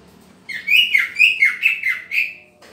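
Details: Green leafbird during pairing, giving a run of five or six sweeping whistled phrases that dip and rise, delivered quickly over two seconds with little background noise.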